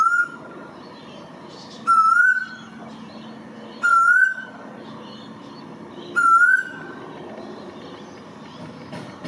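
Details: A male Eastern Koel (Eudynamys orientalis), also called Storm Bird or Rain Bird, in NSW, Australia, gives a loud, rising whistled "koo-eel" four times, about every two seconds, over a low background rumble.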